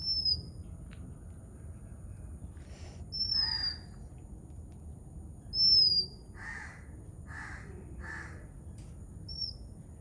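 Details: Oriental magpie-robin singing in Sri Lanka, sharp high whistles that dip in pitch, repeated every few seconds, while crows caw several times in the background.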